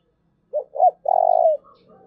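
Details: Spotted dove call, used to encourage freshly caught wild doves to coo often: two brief hollow notes followed by a sustained vibrating coo, with faint soft chirps from another bird afterwards.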